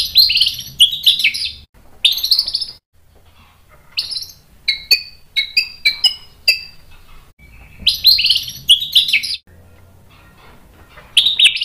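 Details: White-rumped shama song, agitated and aimed at provoking other males: loud, harsh, chattering bursts alternate with crisp, separate whistled notes at varying pitches, with brief pauses between phrases.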